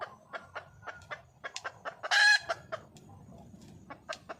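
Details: Wild junglefowl hen seeking a male: scattered clucks, a sudden loud harsh squawk at the midpoint, then more clucks trailing off in a quiet background.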